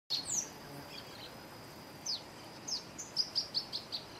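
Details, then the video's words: Male Barred Antshrike singing: a series of short high notes that quicken and rise in loudness toward the end, after scattered sharp chips, over a steady faint high tone and background hiss. "Choca-barrada - Barred Antshrike - Thamnophilus doliatus - macho - male - cantando - singing"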